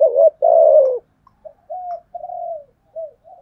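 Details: A decoy spotted dove luring wild doves gives one loud phrase: a short wavering note, then a long descending coo. Several faint, flat, drawn-out coos follow.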